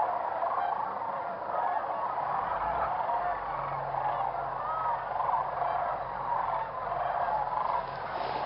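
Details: Whooping cranes calling at a roosting area around sunrise; a continuous chorus of honking and murmuring birds with a low hum beneath, clearer honks after five seconds.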